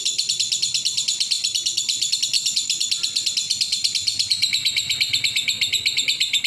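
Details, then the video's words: Lovebird delivering an exceptional ngekek, its long chatter song: a rapid, unbroken stream of high, sharp repeated notes, about three per second, held without pause throughout, over a faint low hum. "Lovebird Ngekek Istimewa"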